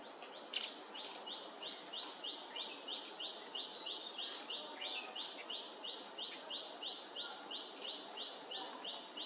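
Streaked spiderhunter giving a steady run of sharp, chipping notes, about two or three a second, over a constant hiss with a fainter, higher ticking series.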